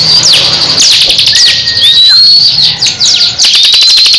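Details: Crescent-chested babbler dueling with another bird: busy high chattering notes mixed with rising thin whistles and short downward slurs, ending in a quick run of ticks.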